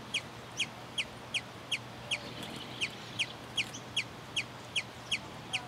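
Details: Sombre hummingbird (Aphantochroa cirrochloris) singing in territory defence, a steady series of sharp, high chips, about two and a half per second, over a faint low hum.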